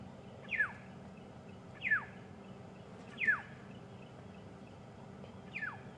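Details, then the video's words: Black-headed Oriole giving four harsh, steeply down-slurred calls spaced one to two seconds apart, sounding alarmed just behind observers near a resting leopard at sunrise on safari drive, 23 January 2015; possibly alarming at the leopard or nest nearby. "That's a black-headed oriole we can hear calling nearby."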